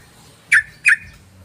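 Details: Yellow-vented bulbul lure call used to attract other birds: two sharp, harsh notes about a third of a second apart, each with a bright upper edge, over a low steady hum.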